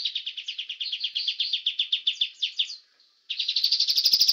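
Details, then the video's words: Young forest-caught White-rumped shama singing a master song for training birds: fast, evenly pulsed high chattering trill for nearly three seconds, a brief pause, then a rising, quickening trill. "Masteran Murai Batu Muda Hutan Andalan Para Juara"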